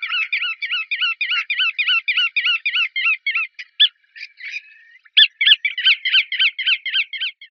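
Bar-tailed godwit giving quick, sharp, nasal notes in a steady run of about three or four per second. A brief ragged break comes midway, then the run resumes.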